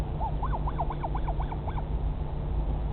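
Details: A Northern royal albatross chick at the Pukekura/Taiaroa Head colony near Dunedin, New Zealand, 2017, gives a quick run of about eight arched, squeaky notes in under two seconds over a steady roar of wind.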